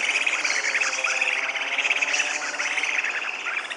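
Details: Purus jacamar singing a fast, sharp twittering trill in continuous overlapping runs, with a high buzzing background throughout.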